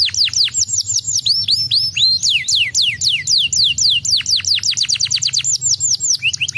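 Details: Canary song meant to stimulate lazy canaries into singing: a continuous run of loud, high, descending whistled sweeps, speeding into a fast rattling series of short notes before a few final chirps.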